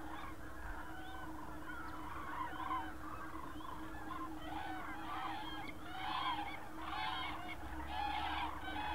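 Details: Common cranes in the countryside around Berlin, Germany, on 24 October 2015: a flock calling together, with overlapping loud rolling trumpeting calls that build in bursts toward the end, over a steady low background hum.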